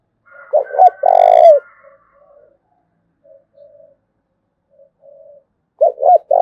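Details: Spotted dove from Dong Nai, Vietnam, in the 'thúc bổi' calling style: a loud low coo phrase of two short hooked notes and a longer drawn note, then quiet distant cooing, and the phrase begins again.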